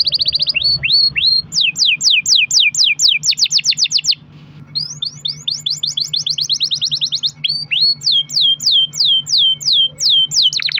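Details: Canary song used as a lure to make other canaries sing: repeated sharp rising-then-falling whistled sweeps in long fast runs, a brief pause near the middle, then more sweeps and trills.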